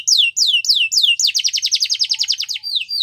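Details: Canary champion song used for training young birds: a few loud descending whistled sweeps, then a fast rolling trill of rapid repeated notes, ending with more downslurred whistles.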